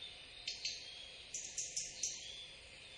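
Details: Taiga flycatcher in Cambodia, perched before a house sparrow chases it off, gives six short, high, sharp ticks, loosely paired, over about two seconds against a steady high hiss.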